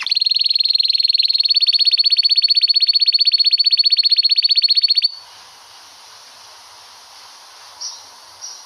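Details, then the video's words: Canary giving a long rolling song used for song tutoring: a fast, even, high trill of rapidly repeated notes held for about five seconds, then stopping abruptly into near quiet with two brief faint chirps. "Suara burung kenari ngerol panjang bagus buat pemasteran"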